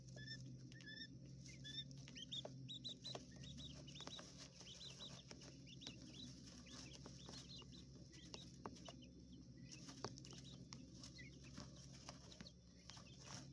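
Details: A brood of coturnix quail chicks in a hotel room enclosure peeps busily, with high, quick, downward-bending notes in dense runs that thin out later, over steady background hum and pecking sounds.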